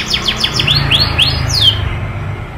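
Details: Canary rolling song, used as a tutor for young canaries: a series of quick downward-sweeping whistled notes, then several arched slurred notes, over a steady low hum.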